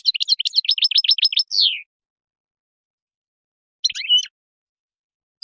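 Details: Wild European goldfinch song in the khalawi style, used for teaching young birds: a rapid run of bright, repeated twittering notes ending in a falling slur, then silence and a brief chattering phrase.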